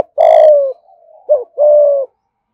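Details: Spotted dove from Dong Nai, Vietnam, giving a 'thúc gù' coo in the 'thổ' voice style: a long level coo, a short bent note, then a second long slightly falling coo, low and mellow.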